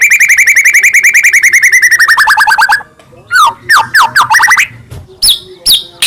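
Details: White-rumped shama of the Medan type singing hard, full of fills, as a lure for other shamas: a long rapid rattle of repeated buzzy notes slowly dropping in pitch, then loud sweeping whistles and sharp chips.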